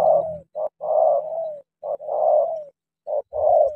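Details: Decoy spotted dove confronting a wild dove to fight coos in a rhythmic pattern, a short note then a long slurred coo, repeated twice more, the long notes gently falling, over a faint low hum.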